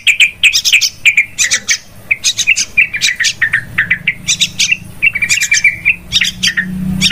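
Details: Yellow-vented bulbul calling for bird trapping: clusters of quick bright notes and rising chirps, delivered in choppy bursts about every half second, with a faint low drone.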